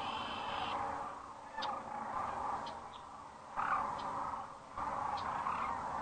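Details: Sandhill cranes arriving for the night at Rowe Sanctuary, Gibbon, Nebraska, at sunset on April 4, 2013, captured by a crane webcam. Rough, rolling calls around the middle register come in bursts every second or so over a steady background hiss, with thin higher notes.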